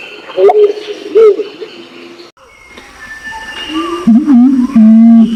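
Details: Imperial pigeon lure call, male and female, from Nabire in Indonesian Papua: after quieter clicks and faint notes, a loud low coo wavers up and down, then settles into a steady deep hum.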